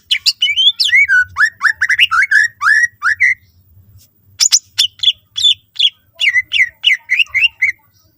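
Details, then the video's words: Greater green leafbird singing to lure other leafbirds into song: a run of looping, rising whistled notes repeated about every third of a second, a short pause, then sharp chips and further upslurred whistles, over faint low rumbling. "cucak ijo gacor full isian mewah sangat ampuh pancing c ijo lain agar ikutan rajin bunyi"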